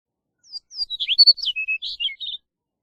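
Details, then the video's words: Chestnut-collared Longspur song: a quick, tumbling phrase of about a dozen sweet, slurred whistled notes lasting under two seconds, starting high and descending with warbling twists, ending in a short buzzy trill, on a silent background. "Chestnut-collared Longspur Singing! Calling! Sound! - Escribano Collarejo Canto"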